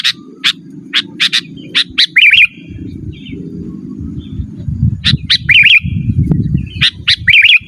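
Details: Sooty-headed bulbul singing, recorded as a calling sound for wild birds and a master recording for training cage birds; sharp high chirps in quick pairs followed by short warbled trilling phrases, with a low rumbling background.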